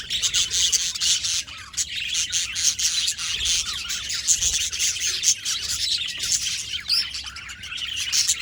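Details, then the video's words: Budgies chattering constantly, a busy flock mix of rapid high chirps, warbles and harsh squawks layered over each other, steady and unbroken throughout with faint low background rumble. "Budgies Birds talking sound | Birds chirping sounds"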